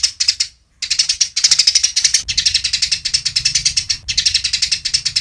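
Eurasian tree sparrow giving harsh, rapid chirps in quick bursts of about five per second, with brief pauses between runs.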